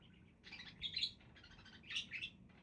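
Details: Budgerigars giving two short runs of scratchy, twittering chirps separated by a soft pause, the notes bright and high-pitched.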